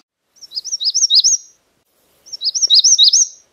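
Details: Magnolia warbler singing: two high, bright phrases, each a quick run of about six slurred, up-and-down notes lasting about a second, separated by a short silence, in a clean quiet setting.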